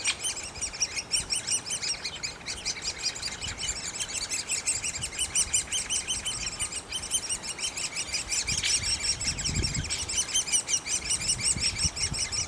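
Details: Great spotted woodpecker nestlings calling from the nest in a continuous, rapid high-pitched chatter of short chirps, about three per second, with faint low rumbling in the background.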